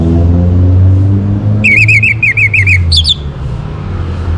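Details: Orange-headed thrush, anis merah, sung in the morning as a lure to bring caged birds into breeding condition: a quick run of repeated, wavering whistled notes lasting about a second and a half over a constant low engine-like hum.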